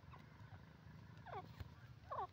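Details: Grey francolin, known locally as teetar, calling: two loud, ringing harmonic notes about a second apart, the second the strongest, with a faint earlier note and a steady low rumbling hum underneath.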